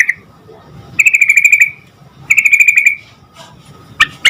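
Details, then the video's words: Yellow-vented bulbul singing to coax other bulbuls into answering: two drawn-out buzzy trills, each falling slightly at the end, spaced about a second apart, then a few sharp notes. "Suara Trucukan Gacor Agar Burung Trucuk Cepat Nyaut"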